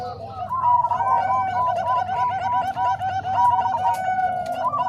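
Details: Zebra dove training mix of Bangkok and Cemani Kolbuntet voices: continuous, evenly spaced arched coo notes from several overlapping birds, forming a steady rolling chorus throughout.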